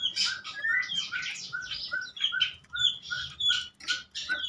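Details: Prenjak lumut, a prinia whose song serves as bait to coax silent birds into singing, delivers a rapid series of clipped chirps, one lower note repeated about three times a second between higher buzzy accents.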